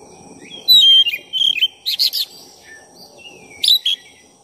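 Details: Oriental magpie-robin of the black-breasted form singing vigorously as a provocation lure. Ringing whistles, buzzy chattering bursts and sliding notes pour out in fast, varied phrases, ending with a loud double note.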